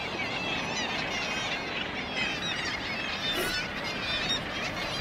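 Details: Gannets calling at a breeding colony at Bempton Cliffs, England's only mainland gannet colony, where many seabirds breed in May and June; a dense, continuous chorus of harsh overlapping calls from many birds, with no single voice standing out.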